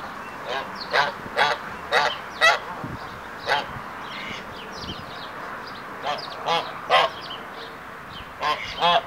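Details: Hybrid Canada geese in courtship, performing the triumph ceremony, the male displaying before the female during the second stage of pair formation; loud nasal honks come in clustered bursts, about a dozen in all, some overlapping, with quieter gaps between.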